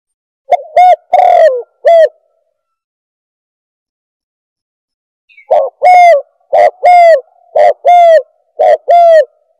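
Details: Spotted dove calls used to lure doves: short cooing notes around mid pitch, a quick cluster, a pause of several seconds, then a longer run of paired coos roughly once a second.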